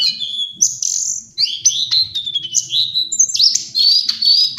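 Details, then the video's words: Song of lesser shortwing (Brachypteryx leucophrys) used as a training recording for songbirds: loud, high, sliding whistles that sweep down then up, strung into quick, varied phrases with short gaps. "Master Pancingan Burung cingcoang/jongkangan coklat"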